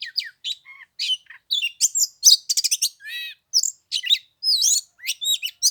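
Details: Oriental magpie-robin singing on the third day of Lunar New Year in 15-degree cold, a rich, continuous stream of varied high whistles, rapid trills, buzzy notes and downslurred phrases with barely a break.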